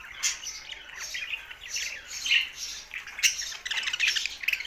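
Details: A group of budgerigars in happy song, a dense mix of scratchy warbles, bright chirps and sharp clicks running without pause.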